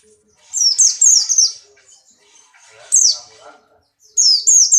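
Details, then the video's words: Caged Buxtoni white-eye in heat, leaping about as it sings: rapid high-pitched downward-slurred notes in short clusters, separated by quieter gaps with faint background sounds. "burung pleci Buxtoni birahi kencang loncat indah nembak"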